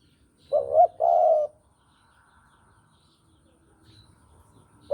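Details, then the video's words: Javan spotted dove coo used to lure birds for trapping. A short quavering note leads into a sustained, slightly rough coo, followed by several seconds of near silence before the next phrase begins. "Pancingan Derkuku Jawa || Cocok Buat Masteran Pikat"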